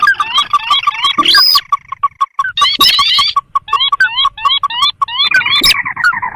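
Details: Swamp and rice-field sintar, recorded as a trapping lure: rapid repeated upslurred whistles in clusters over a constant pulsing note series, with a few loud sweeping bursts.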